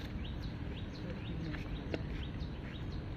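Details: A Baya weaver (Ploceus philippinus), recorded 30 January 2019, gives quick, high chirps roughly twice a second, each a brief sliding note, over a steady low rumble of background noise.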